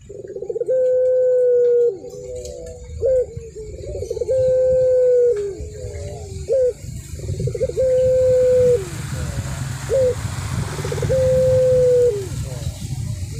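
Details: Zebra dove of the puter pelung type in full song, steady low sustained coos each trailed by a short bent note and brief stutter, repeated regularly about every three and a half seconds over a low rumble.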